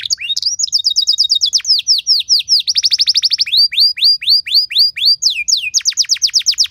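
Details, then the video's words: Canary singing a luxurious varied song meant to spur other canaries into song: long runs of quick downslurred high notes, a sustained whistle, then rhythmic repeated sweeping syllables at a steady fast pace. "Materan Burung Kenari Lagu Istimewa! Cengkok Mewah Bikin Kenari lain Ikut Terpancing jadi Gacor"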